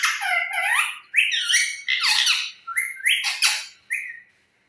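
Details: Pet parrot giving loud, harsh squawks and rasping rising-and-falling calls in about six bursts over four seconds, each separated by a brief pause, in a quiet indoor room.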